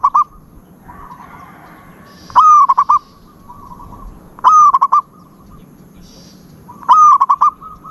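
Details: Zebra dove singing: three loud phrases about two seconds apart, each opening with a sharp rising note, then a rolling, pulsed coo with brief staccato beats, over faint low background noise.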